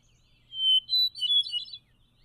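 A Hermit Thrush sings one phrase: a long, pure, held whistle, then a higher, flute-like cascade of ringing notes that seem to overlap in harmony. A faint low hum sits underneath.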